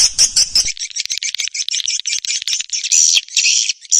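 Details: Swiftlet call and roost sounds used by Indonesian swiftlet farmers: a continuous stream of shrill, buzzy, high-pitched chirps and twitters, with a faint low rattle at the start.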